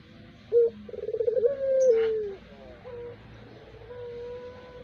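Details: Zebra dove kept as a lure bird, giving low, mellow cooing notes: a short coo, then a quick rolling series of pulsed coos sliding into a long drawn note, followed by softer steady hooting tones against a faint background hum.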